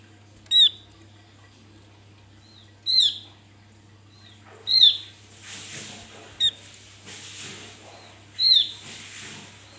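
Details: Wild Javan white-eye, recorded to lure and provoke other birds: a series of five or six piercing high downslurred notes spaced roughly every two seconds, with a brief rustle of hiss midway and a low steady hum.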